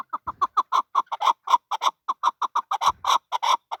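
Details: Male chukar partridge giving a rapid, steady series of clipped, mid-pitched chuck notes, about six per second, each note clean and evenly spaced, continuing without pause for nearly four seconds.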